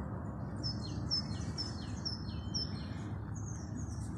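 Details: High, thin chirping of birds in the Mamora forest at Salé al-Jadida, over a steady low rumble of background noise.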